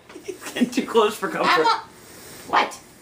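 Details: A pet Moluccan cockatoo playing peekaboo, which says "hello" and "goodbye", voices short, speech-like phrases in bursts with a rasping, uneven tone and a brief pause before one last rising syllable, in a small room.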